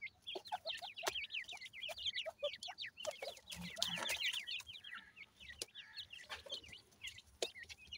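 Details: Grey francolin chicks, the Pakistani teetar, giving rapid high peeps in a steady chorus of short falling notes, with sharp clicks and a soft rustle midway.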